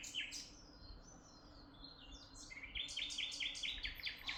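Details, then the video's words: Bird chirping in Tuzla: loose twittering phrases give way to a quick series of bright repeated notes, several per second, over a faint low hum. "amazing birds chirping sound in Tuzla"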